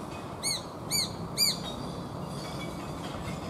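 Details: Japanese sparrowhawk parent calling repeatedly while tearing at and eating a small bird it caught, near two newly fledged young; three short, high, arched squeals about half a second apart, then steady low background rumble.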